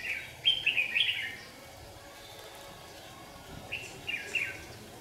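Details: Red-whiskered bulbul lure bird challenging rivals at a trap on a hot sunny day: quick clusters of lively slurred notes, then a gap and another short phrase, over constant background hiss.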